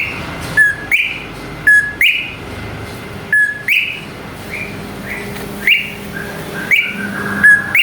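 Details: Greater green leafbird lure song to stir other birds into singing. Soft paired whistles, rising then falling, recur about once a second over a faint hum.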